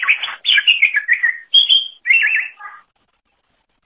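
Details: Cucak ijo, the greater green leafbird, singing energetically for songbird training: rich warbled phrases, one clear sustained whistle, then a quick wavering trill ending in lower notes.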